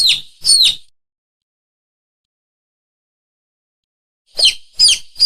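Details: Chicken chicks peeping: two loud, high, sharply falling peeps, then a silent gap of about three seconds, then three more peeps in quick succession. No other sounds.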